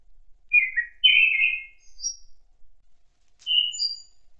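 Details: Thrush song from autumn woodland: two loud slurred whistled phrases close together, a brief high note, then a final clear whistle with a high thin tail.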